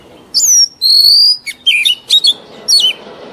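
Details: Mature wild-caught Oriental magpie-robin whose song is used in training young birds: two long, pure whistles followed by quick clipped notes and short, sharply falling slurs.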